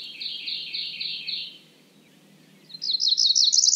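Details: Cerulean warbler giving a series of repeated buzzy notes, then after a pause a fast run of high buzzy notes rising toward the end; quiet background.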